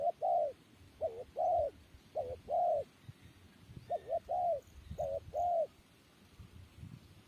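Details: Spotted dove cooing in soft, mellow phrases: a short double note, then a longer drawn-out coo, repeated about four times over seven seconds. Faint low rumble in the background.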